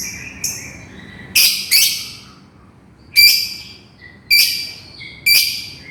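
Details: Lovebird calling its companion with loud, harsh, high-pitched screeches in pairs and singles, separated by short quiet gaps.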